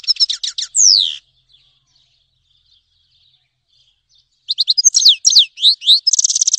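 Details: Grey-headed goldfinch singing two bursts of quick, sharp chirps and a downslurred whistle, separated by over three seconds of silence, ending in a fast buzzy trill.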